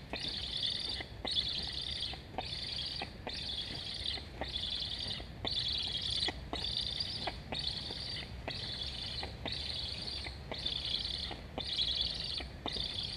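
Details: Black stork chick in a nest in Estonia, 26 August 2021, begging for food with a steady run of hoarse, high chirping bursts, about one every second, as a sibling flies along the nest; low background rumble.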